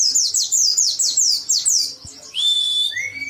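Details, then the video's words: Oriental white-eye, agitated and singing hard with beak wide open: a run of quick, high, downslurred chirps, then a long, steady, high whistle and a lower whistled note. "Burung Pleci Ngotot sampai Paruh nya Dower."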